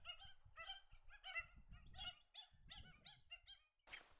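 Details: Australasian shoveler uttering a rapid, uneven string of nasal, honking notes, about three per second, over low rumbling background, ending in a sharp burst of noise.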